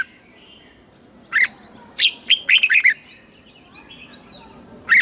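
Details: Red-whiskered bulbul, Thailand, singing southern master-style song for exciting birds and teaching chicks: a single sharp note, then a fast cluster of five or six slurred whistles, and another note at the close.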